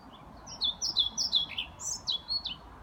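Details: European pied flycatcher singing in Lindgårdsskogen woodland at Haga, Sundsvall, Sweden, on 29 May 2018: a quick phrase of sharp, high, alternating up-and-down notes, about eight clear units in under two seconds, over a faint low rumble.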